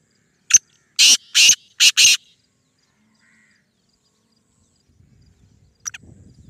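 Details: Black francolin, known locally as kala teetar and billed as a speeder that calls nine times a minute, utters one rasping phrase of five rapid, harsh notes, then a lone sharp note and faint low rustling.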